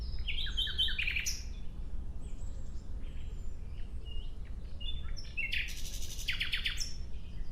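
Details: Nightingale song in two short bursts: a quick run of sharp, high notes at the start, then a stretch of faint, distant whistles, and finally a second rapid, stuttering series of notes near the end.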